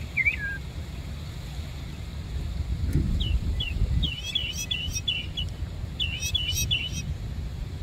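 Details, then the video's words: Songbird singing in Savannah: short clear whistled phrases, the first a falling slur, then a burst of bright looping notes, over a steady low rumble of traffic. "bird song in Savannah"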